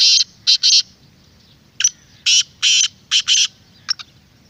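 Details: Black francolin lure call, loud and clear: harsh, rasping broadband notes in quick groups of two or three, repeated several times over a few seconds against a quiet, low hum.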